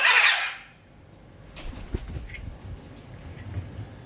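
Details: A pair of scarlet macaws; a single loud, harsh, broadband squawk opens the recording and lasts about half a second, followed by quiet background with faint rustling and soft knocks.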